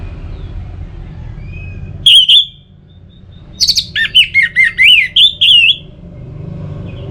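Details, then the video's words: Orange-headed thrush singing to spur other birds into song: one sharp bright whistle, a pause, then a rapid run of looping, up-and-down whistled notes lasting about two seconds over a soft background hum. "Pemancing Burung ANIS MERAH Agar Selalu Gacor, Baik di Musim Hujan & Kemarau"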